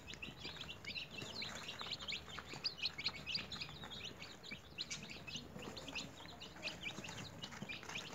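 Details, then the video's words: A brood of newly hatched chickens raised in a home cage produce a continuous chorus of shrill peeps, quick descending chirps repeated many times a second, with faint rustling in the background. "Newly Hatched Chicks Activities"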